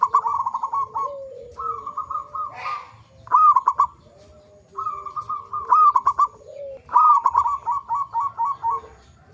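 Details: Zebra dove, a local bird, singing as a lure to get other zebra doves to sing: repeated phrases of quick rolling coo notes, interleaved with softer, lower coos, four phrases over about nine seconds.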